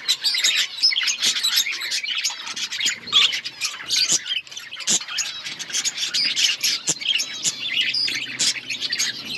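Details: Outdoor colony of budgerigars keeping up a loud, jumbled chatter of chirps, squawks and warbles, punctuated by frequent sharp clicks.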